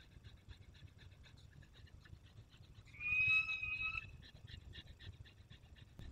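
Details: Peregrine falcons in Poland's Barycz Valley, 27 August 2022, as one returns from hunting: soft rapid ticking notes run throughout, interrupted by a sustained, slightly rising wail about one second long.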